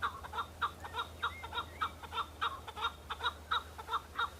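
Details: Male chukar partridges on Bamo mountain in breeding season, fighting and showing off to females; strong, regular chuckling calls about three per second, with faint whistled notes and a low hum beneath.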